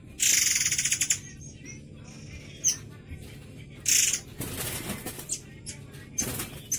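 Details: A white-rumped shama of the "air mancur" type, noted for a sharp, coarse voice and used as a song tutor, gives harsh rasping bursts: a long buzzy rattle, then scratchy phrases every two to three seconds.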